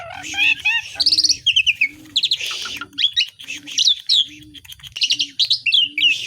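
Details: Asian pied starling delivering a long, varied medley of copied calls: twittering whistles, trills and harsh buzzes in quick succession, over a steady low note pulsing about once a second.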